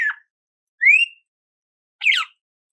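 Red-cowled cardinal song: three clear phrases about a second apart, a rising whistled slur between two choppier, buzzier notes, all fairly high-pitched.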